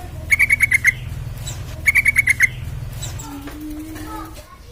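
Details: Sooty-headed bulbul song used as a lure to make other bulbuls sing: two bursts of rapid, sharply repeated bright notes, roughly eight per second, each burst lasting under a second, followed by a few softer calls and a low steady hum.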